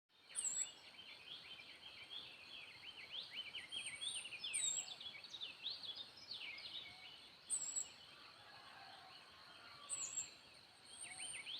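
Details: Wild birds singing as morning approaches: many overlapping bright chirps and quick rising-falling whistled phrases, with sharp high tweets breaking in every few seconds over a steady hiss.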